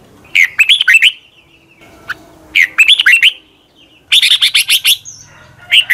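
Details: Red-whiskered bulbul morning song for training captive birds: repeated bursts of rapid, warbling whistles, one with a brighter chattering run, separated by brief quiet gaps over a faint hum.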